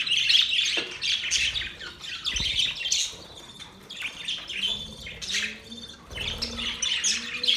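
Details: Happy budgies chattering: quick, scratchy chirps and warbles tumble over each other in a steady lively stream, with small pauses and faint low thumps now and then.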